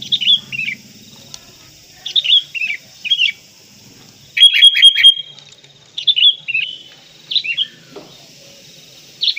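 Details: Sooty-headed bulbul (kutilang kapas) in full fill-in tutor song, singing energetically: short bubbly whistled phrases dropping in pitch, given in bursts every second or two, with one burst of rapid, sharp repeated notes midway.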